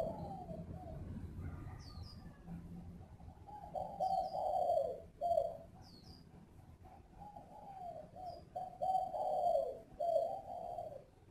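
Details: Spotted dove, a captive bird of a mixed-voice type kept at a breeding farm near Ba Vi, Hanoi, Vietnam, giving low hollow coos in short phrases with pauses, over a steady rumbling background and a few faint high chirps.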